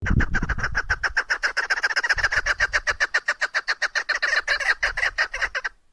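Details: Female chukar partridge, a hunter's bird, giving a fast run of short clucking notes, about four each second, steady for nearly six seconds with faint low rumbling at the start.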